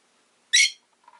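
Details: A pet rosy-faced lovebird, with possible town noise in the background, gives one shrill, harsh, high chirp about a quarter-second long, followed by a couple of faint, soft, lower notes.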